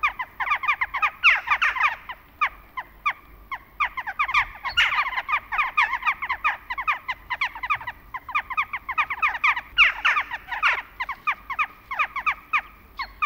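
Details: A flock of Western jackdaws in autumn, a continuous chattering mass of short, sharp, descending calls from many birds, rising and falling in loudness.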